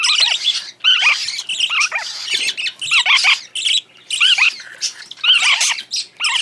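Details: Young tame parakeets clamouring during hand-feeding, giving rough, rasping squawks in quick, crowded bursts that rise and fall, with short quiet breaks between them.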